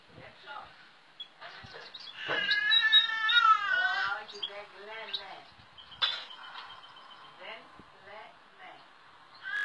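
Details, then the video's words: European goldfinch × Timbrado canary hybrid (mule) sings discontinuous song in broken phrases, mimicking goldfinch, great tit, cirl bunting, nightingale, rock nuthatch and woodlark: rich, wavering warbled runs, then short twitters and pauses, faint background noise. "Song of Carduelis balcanica X Timbrado discontinue"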